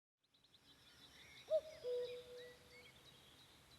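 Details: Common cuckoo with a slightly unusual cuckooing, on a May evening amid the Vändra forests in Pärnumaa, Estonia. A single two-note cu-coo: a short higher note dropping to a longer, lower held note. Faint high birdsong in the background.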